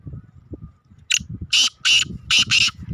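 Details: Black francolin, the Kala Teetar, of an antique breed, calling loudly: a rhythmic series of five harsh, scratchy bursts spaced roughly a third of a second apart, preceded by low murmuring background noise.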